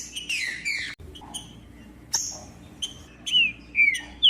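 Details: Green-winged saltator song, the species favoured by breeders for tournaments: scattered short chirps then two clear downward-sliding whistles near the end, with a steady low background hum.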